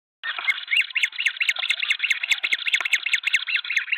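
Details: Green wood hoopoes at a nest in Pretoria, South Africa, in February, where three chicks are fed by the whole flock; a rapid, steady series of arched, nasal notes repeated about two to three times per second, with faint clicks behind.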